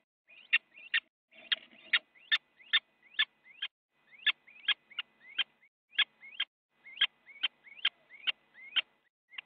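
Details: Nest-box fight of little owls in the Netherlands on a January 2017 morning, with one owl biting the other; steady run of upward-sliding squeaks each ending in a sharp click, about two to three per second.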